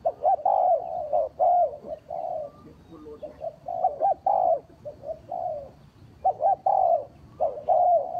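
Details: Spotted dove cooing as a trapping lure, a series of soft, low, rounded coo notes in broken phrases with brief pauses over a steady murmur of background noise.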